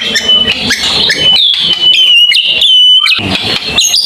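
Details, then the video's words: White-rumped shama delivering long song bursts, tembakan panjang: clear, level whistles held steady, broken by chips and short slides, the sound continuous and loud across the clip. "mure tembakan panjang"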